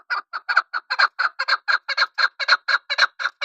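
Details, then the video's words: Chukar partridge's rhythmic clucking call: hoarse, doubled chuk-chuk notes repeated about four or five times a second at even loudness. "chakor ki khobsort awaz.. sound of keklik"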